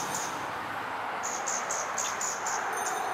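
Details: Male scarlet-backed flowerpecker perched openly in Singapore, giving a quick run of thin, very high ticking notes, about three or four a second, over steady background hiss.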